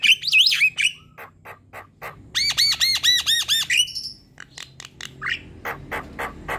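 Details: Lure song of an actively singing Javan myna, style manggut sambung ngerol panjang: loud twisting whistles, a string of dry clicks, a rapid run of arched ringing notes, then sharp scattered chips.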